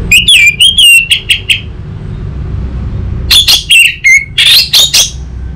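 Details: Orange-headed thrush song played as a lure and tutor recording for untrained young birds: loud clear whistled phrases with sharp downward strokes, a burst in the first second and a half, a quiet pause, then another varied burst with low background hum.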